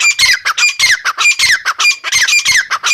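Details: Female grey francolin (teetar) calling: a rapid, harsh series of squawking notes, each a burst of rough, descending syllables, repeated in uneven clusters for about three seconds with no other clear sounds.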